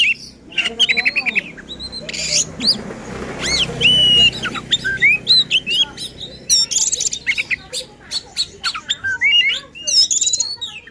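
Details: Oriental magpie-robin pouring out agitated song to goad other magpie-robins: dense varied phrases of sweeping whistles, ticking notes and harsh buzzes, with a brief patch of background noise early on.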